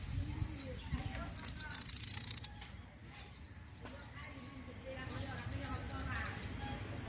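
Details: Pied bushchat singing: a quick, even run of about a dozen high, sharp repeated notes lasting about a second, framed by scattered downslurred high chirps, with a low background hum throughout.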